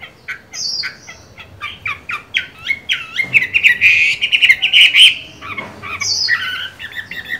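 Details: Chinese hwamei cage bird in moult, singing: a string of quick clipped downslurred notes building into a loud warbled phrase, then a fresh burst of varied whistles.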